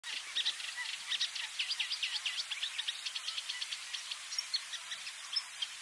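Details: Common reed warbler of the nominate subspecies singing in the Camargue, France, in May: a steady, chattering run of short repeated notes in twos and threes, grating and churring, with rhythmic pulses several per second and no other clear sounds.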